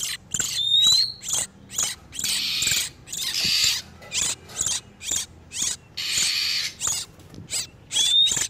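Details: Oriental magpie-robins in breeding condition, both sexes, a lure sound for wild birds: grating high bursts and extended hissy churrs in irregular rhythm, opening and ending with a rising thin whistle.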